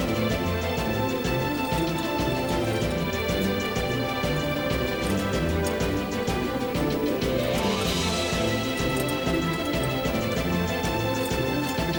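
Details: Steady upbeat background music plays throughout, with no animal voices standing out. The tune fills the whole stretch at an even level, and no calls or chirps rise above it.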